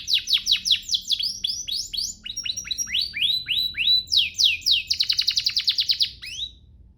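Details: Canary master song, a training recording meant to get canaries singing eagerly: rapid series of high downward-sweeping whistled notes, then a fast buzzy trill of repeated short notes near the end, fading out.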